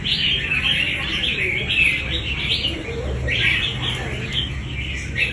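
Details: Wild-caught red-whiskered bulbul of fighting quality, sounding off in bright chattering, warbled phrases rising and falling in quick bursts, notes overlapping densely, over a steady low hum.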